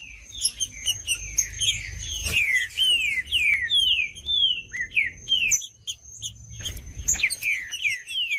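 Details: Green-winged saltator singing to encourage another saltator to sing: dense, fast chain of downward-slurred whistles, about two per second, a brief pause, then more whistles, over a steady high whine and scattered high chips.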